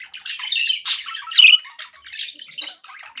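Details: Happy pet budgerigars chattering together: rapid, scratchy warbles and squeaky chirps pile up densely, with a sharper squawk standing out near the middle.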